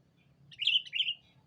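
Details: A sooty-headed bulbul calls a rival as a lure: a single clear two-part phrase of warbling, slightly buzzy notes, loud against a quiet low hum.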